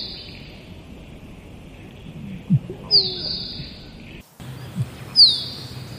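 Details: Musk duck: a low knock, then a shrill falling whistle, repeated after a brief break, with soft pulsing background noise.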